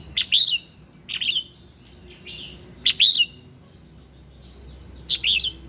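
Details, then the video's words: Morning song of a red-whiskered bulbul, played to encourage singing: four bright whistled phrases about a second apart, each opening with a sharp click and sliding up then down in a rich warble. "Tiếng Kích Giọng Chào Mào Hót Sáng"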